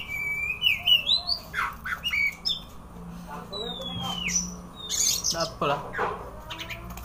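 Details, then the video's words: White-rumped shama (kacer) with tail open, delivering rich rising whistles, a long descending whistled slur, and bursts of harsh chattering notes, all fast and varied over a low hum. "kacer buka ekor"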